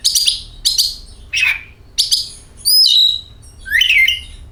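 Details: Oriental magpie-robin sounds used as a lure to set kacer birds singing: three short buzzy chirps and a rough note, then a high whistle sliding down and a final sweeping rising phrase.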